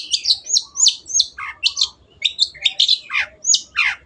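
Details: Long-tailed shrike (cendet) in lively song recorded to train kept birds: a flowing series of high whistled, down-slurred notes with scratchy edges, delivered in quick phrases.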